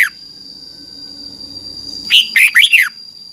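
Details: A red-whiskered bulbul from Thailand gives a single brisk phrase of four rising-and-falling whistled notes near the end of the clip, used to teach young birds. Soft background murmur and a steady high tone are also audible.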